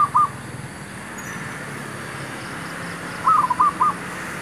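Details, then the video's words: Zebra dove calling while wild doves are being trapped near a mangosteen tree: a brief note fragment at the start, a long quiet gap, then a short run of three bubbling coo notes. Faint hum throughout. "MEMIKAT MERBUK"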